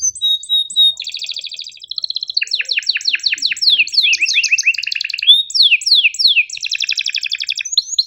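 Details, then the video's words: Sharp canary chirping and rolling song for training canaries that rarely sing and young birds: quick high whistles, then a long run of rapid down-slurred notes and fast trills repeated several times per second. "MASTERAN KENARI GACOR PANJANG EPS24 Cuit NgeroL TAJAM, Untuk Kenari SUSAH BUNYI & Paud belajar bunyi"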